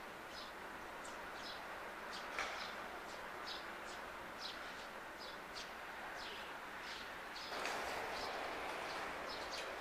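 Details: An Oriental greenfinch, probably male, gives quick, high twittering calls, several per second, over steady traffic roar that grows louder near the end, by a Tama River tributary in a Tokyo residential area, 3 June 2011.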